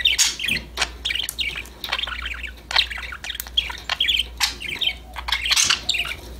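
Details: Pet budgerigars chirping, singing and talking among themselves: busy bursts of high warbled chatter and squawky notes, several birds overlapping, with sharp clicks between phrases and low hum beneath.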